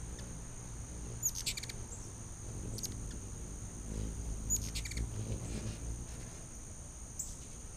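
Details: Hummingbirds feeding at a feeder on a back deck in late August give short bursts of dry, high-pitched chips, roughly three clusters spaced a couple of seconds apart, over a constant high-pitched drone and low background rumble.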